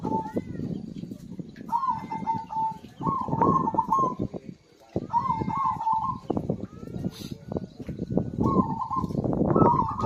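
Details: Actively singing zebra dove, used to stimulate silent birds into song: several short, rolling trilled coo phrases separated by pauses, with a deep, constant background rumble beneath.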